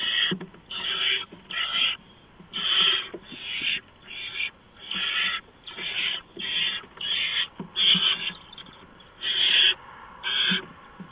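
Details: Barn owl nest at 4:26 AM, 6 March 2015, with an adult bringing a mouse. Some fourteen harsh, hissing screeches repeat roughly every three-quarters of a second over eleven seconds, with faint knocks.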